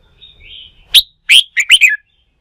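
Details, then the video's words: Red-whiskered bulbul, wild-caught and stimulated for song-fight practice, gives a soft warble, then a loud sharp note and a fast string of bright, slurred chirps. "Kích chào mào bổi bổi lên lửa, luyện chim hót đấu"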